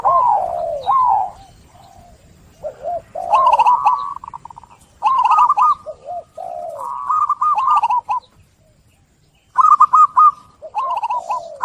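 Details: Zebra dove cooing as lure therapy for doves stressed from trapping: scattered arched and falling coos, several rolling stuttered phrases, a quiet pause, then a final run of clipped notes.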